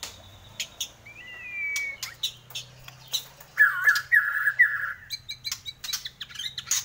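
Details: Bornean white-rumped shama in full, lively song for training caged songbirds: a drawn-out whistled note, then a fast string of clear repeated whistles, broken by sharp clicks and chips over a low background hum.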